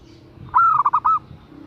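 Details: A single cooing phrase from a female zebra dove calling for a male: a clear rising note that runs into three or four quick rolling, soft trilled coos, all within about half a second, over faint background hum.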